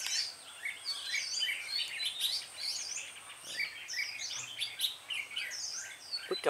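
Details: Bulbul trapping with a female lure, recorded 26/12/2016. Busy, continuous high chirps and quick rising and falling whistled phrases overlap from several birds, with a faint human sound at the end.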